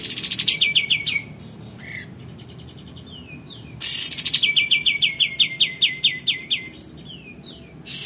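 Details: Male olive-winged bulbul in full song, recorded as tutor material for magpie-robins and shamas: repeated fast chattering series of sharply falling notes, broken by short slurred whistles and brief gaps.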